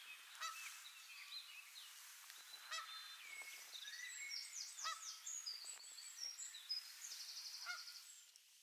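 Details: A grazing greylag goose on sentry duty, ever alert, gives four loud, nasal honks spaced about every two to three seconds, while small songbirds twitter and trill in the background.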